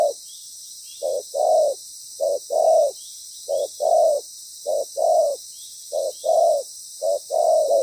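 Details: Spotted dove decoy calling during trapping, loud and in proper pattern, producing rhythmic pairs of soft low coos, short then longer, roughly every second, with steady background hiss.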